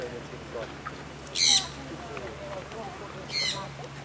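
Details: Vulturine guineafowl, captive at Vogelpark Walsrode, Germany, in 2014: two short, harsh, squeaky bursts with bright overtones, about two seconds apart, over a steady low hum and faint murmuring.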